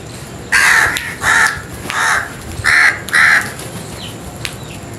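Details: A crow gives a series of five loud, harsh caws, each about a third of a second long and coming roughly every half second. A faint chirp follows at the end over quiet background hiss.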